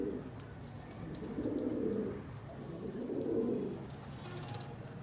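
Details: Pigeon cooing: two low, drawn-out, throaty coos, each lasting about a second, over a steady background hiss.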